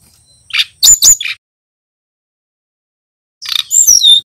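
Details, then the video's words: A young male Brown-chested Jungle Flycatcher, stated to be endemic to Bali, practising song: two short clusters of thin, high, sliding whistles and rasping chirps separated by about two seconds of silence. "Burung SRDC bali belajar bunyi - Suara TERAPI pancingan sikatan rimba dada coklat"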